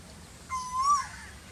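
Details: During the very hot season an Asian koel gives a single clear whistled note of about half a second, steady then gently rising and dropping at the end, over low background rumble.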